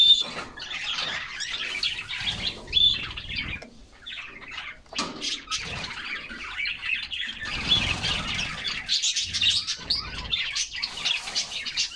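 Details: A group of canaries singing while bathing in summer; dense, high twittering and chirped phrases come in bursts, broken by a short lull near the middle, with low splashing thumps of water underneath.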